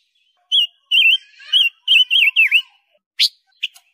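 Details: Training song of a silver-eared mesia: a run of clear warbled whistles, several wavering and one dipping sharply, followed by two short sharp chirps.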